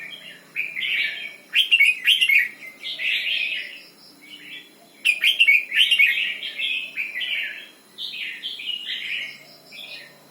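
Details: A red-whiskered bulbul delivers doubled 'berl' song: two sharp clipped note clusters, each flowing into a run of rich, bubbling warbles, with a quiet gap between the groups.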